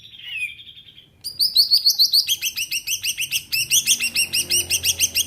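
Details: Greater green leafbird singing loudly: a short falling whistle, a pause, then a fast run of sharp, rising chirped notes repeated about three or four times per second, rich and varied, in a quiet setting.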